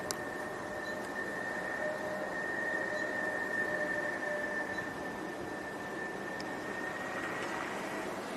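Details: A steady high whine holds throughout over a broad background hiss, with a few faint clicks.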